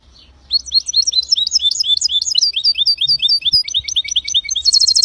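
A goldfinch × canary hybrid sings a fast, high twittering run of short chirps and slurred notes, ending in a rapid buzzy trill. A faint low hum sits underneath.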